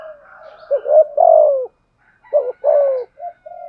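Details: Spotted dove kept as a decoy, 'giọng thổ' voice, cooing 'thúc gù'. Two full phrases of paired short notes ending in a long descending coo, then a brief soft coo.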